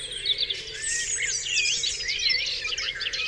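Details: Dawn chorus on Dewlands Common: many birds overlapping with swooping whistles, looping notes and high thin trills, a dense continuous mix over faint lower warbling.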